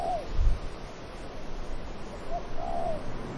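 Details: Dove cooing among trees in the wind: a short low note and then a longer, slightly wavering coo that rises and falls, heard twice over a steady rush of wind with a low thump near the start.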